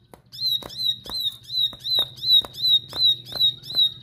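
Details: Persistent high-pitched notes from an aggressive bar-winged prinia, each a short sharp whistle with a slight upward flick, steady at about two per second, punctuated by snapping clicks and a faint low hum.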